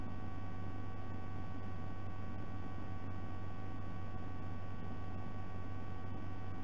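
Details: Steady low electrical hum with static hiss throughout, no animal voices present.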